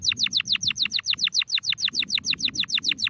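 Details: Domestic canary singing a steady, fast trill. Loud, sharply falling chirped notes repeat about six times a second without a break, over faint low background noise.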